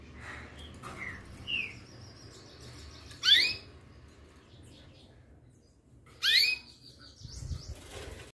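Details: Sixteen-day-old canary chick giving two loud, sharply rising sweeping chirps about three seconds apart, with a few softer short chirps before them and a quiet background between calls.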